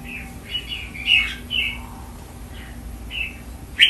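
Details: Red-whiskered bulbul kept as a cage bird, training its song with soft repeated whistled notes and short phrases against a faint steady hum.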